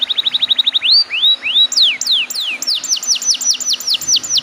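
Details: Loud canary song serving as a lure for untrained canaries: a rapid burst of short notes, a few rising and falling swoops, then steady repeated downslurred whistles about three per second.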